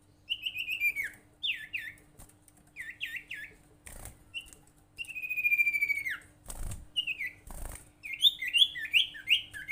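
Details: Common iora (sirtu) lure call to get other ioras singing: groups of short downslurred whistles, a drawn-out falling whistle mid-clip, then fast chattering whistled notes, with two loud thumps.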